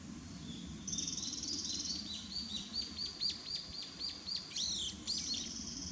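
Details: Possible Japanese robin on Mount Konze, 16 July 2019: a high rattling trill opening into a rapid series of sharp, downslurred whistled notes, ending in louder looping phrases, over a low steady background hum.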